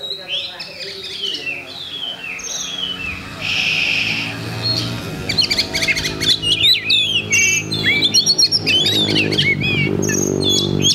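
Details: Contest Oriental magpie-robin singing on 8 October 2020: high thin whistles and a buzzy note, then a lively spray of sharp rising chirps and slurred whistles over a loud low droning background.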